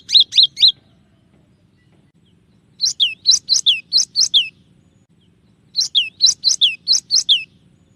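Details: Tutor recording of a cinereous tit singing shot variations: short bursts of three to six sharp, falling whistled notes, separated by pauses of about two seconds, in a quiet setting.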